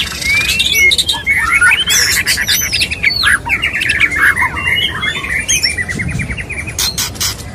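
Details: White-rumped shama male wooing a female with its mating call: a dense, unbroken run of chattering whistles, buzzy trills and sharp harsh squawks, busy and restless.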